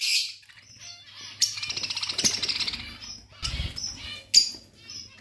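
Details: Pet budgerigars chatter in a fast, buzzy warble, with sudden sharp chirps between stretches and a low background hum.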